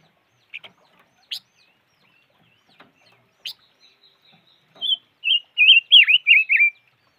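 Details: Scattered faint chips and clicks, then a five-coloured bird bursts into a string of warbled whistled notes, several wavering and one swooping low before rising.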